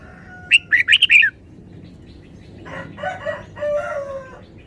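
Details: Red-whiskered bulbul delivering a rapid run of bright, warbled notes early on, followed by a rooster crowing in the background.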